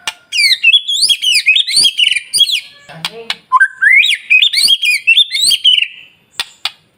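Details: White-rumped shama song played in the morning to trigger other birds to sing: high, rapid, varied whistled notes in a busy cascade, a brief break with low sounds, then a rising run of bright whistles.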